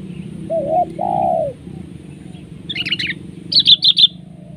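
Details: Sooty-headed bulbul in a trapping duel, grappling with a decoy bird. Two low whistled arching notes open, then two loud bursts of rapid, harsh, high chirps, each about half a second long, over steady low background hum.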